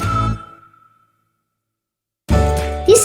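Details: Bright musical tones with a sustained note fade to silence, then a jingly music passage returns; no animal voice is heard.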